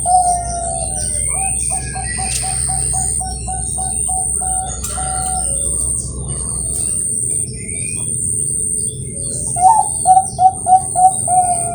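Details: Competition-quality Bangkok zebra dove cooing at a breeding farm in Kroya, Cilacap, Central Java: a quick run of soft repeated coos, a pause, then another burst of rising coos, over a steady high electrical whine and low background hum.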